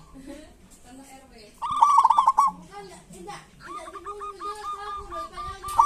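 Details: Local zebra dove, kerot and bekur style, meant to coax silent doves into song: a rapid rolling coo, then a steady run of short staccato notes, with lower coos mixed in.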